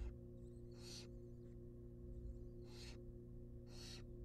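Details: Hungry wild barn owl young in a nest box, fed a rabbit, give three snoring, hissing begging calls, each short and breathy, with faint softer sounds between and a steady background hum.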